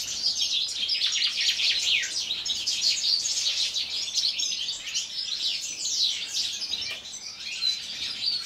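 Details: Winter singing from European goldfinches housed in an aviary. A constant spray of high, tinkling twitters and rapid slurred notes overlaps densely, fading a little near the end.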